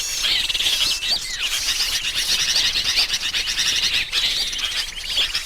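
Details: A lure recording for attracting small birds: sooty-headed bulbuls in busy, overlapping chatter of bright, bubbly notes and short whistles, dense and continuous throughout.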